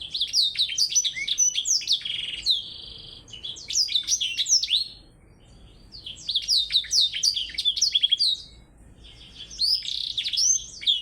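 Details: Blackthroat set against a Java sparrow in a singing contest. Long runs of quick, high, trilled and slurred notes with some sharp upward sweeps, in three main bursts separated by brief quiet gaps.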